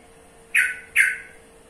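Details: Yellow-vented bulbul giving two harsh, squawky notes about half a second apart, each a short burst that trails off, over a faint steady electrical hum.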